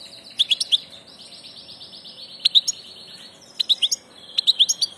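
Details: Passage European goldfinch singing short bursts of three to four sparkling chirps, linked by a buzzy, rolling twitter, repeated roughly every second.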